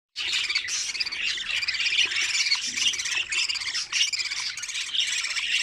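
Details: Budgerigar chicks in an opened nest, feeding one another: dense, harsh, raspy chattering that runs almost without a break, with rapid scratchy pulses overlapping throughout.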